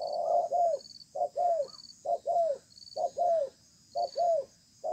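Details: Wild-caught spotted dove in a contest match below a communal house, calling in a sparse, measured style: short-long coo pairs, the longer note sliding downward, repeated roughly every second over faint insect chirping.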